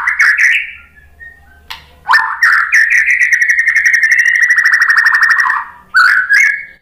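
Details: White-rumped shama song for goading other birds into song: a few quick whistled notes, then a long, even, rapid trill held for more than three seconds, ending in short whistles.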